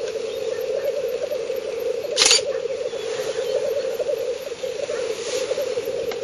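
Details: Black grouse lek in northern Finland, 30 April 2011, recorded at 50–70 m with a Fujifilm superzoom: steady low rolling bubbling throughout, interrupted near two seconds by a loud mechanical click from the camera.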